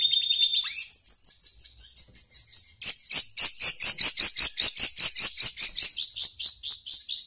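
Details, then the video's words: A chatty Long-tailed Shrike responding to a phone's sound gives a loud, harsh, rasping chatter of about four notes a second, after a brief high whistle and faint twittering at the start. "Burung pentet cerewet dengar suara hp"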